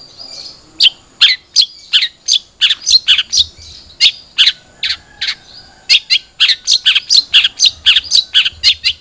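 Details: Long-tailed shrike (cendet trotol) singing, used as a lure so a captive bird starts singing: a long string of short sharp chirps, mostly evenly spaced about three per second, over a steady high whine.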